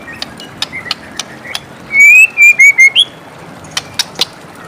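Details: White-rumped shama singing in the morning: sparse sharp clicks and ticks, then a loud run of clear whistled notes near the middle, followed by more scattered short clicks.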